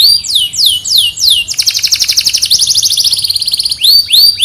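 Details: Canary from Temuireng, Petarukan, Pemalang, Central Java, Indonesia, sings high, bright downslurred whistles, breaks into a fast, rolling trill of rapid repeated notes, then returns to sweeping whistles.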